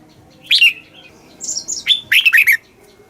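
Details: Red-whiskered bulbul song meant to excite caged birds and teach chicks; a slurred whistle, then softer high notes, ending in a quick run of bright falling whistles.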